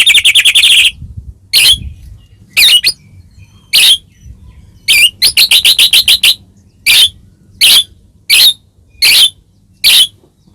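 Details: Provoking song of a white-rumped shama for a caged bird: a rapid trill opens, followed by short sharp high notes repeated roughly every second with a brief rattle burst in the middle.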